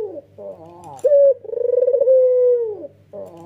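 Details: White Barbary dove, male with red eyes, cooing in nodding style to prompt other doves. A soft nasal wavering phrase leads into one sharp note and a long pulsed coo that slides down at the finish.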